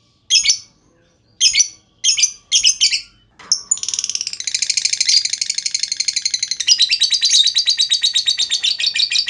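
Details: Lovebird lure with a long trill meant to set other lovebirds singing: a few harsh, spaced squawking bursts, then a sustained, rapid, chattering trill of high rasping notes running on for over five seconds.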